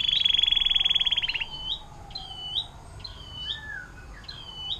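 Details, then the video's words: Atlantic canary, 'air mancuran' song style used for tutoring songbirds: a loud, very rapid buzzy roll lasting over a second, followed by spaced, bright upswept chirps. "KENARI DENGAN LAGU AIR MANCURAN PANJANG"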